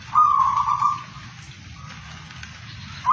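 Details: Zebra dove, a local bird: one soft trilled coo, then a quiet gap, and another beginning at the end, over a low hum.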